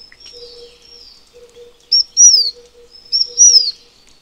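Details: Taiwan fulvetta, endemic to Taiwan's high-altitude mountains, wintering at mid elevations: two clear high whistled phrases, a short note then a longer downward-sliding whistle, about a second apart, over a faint steady low tone.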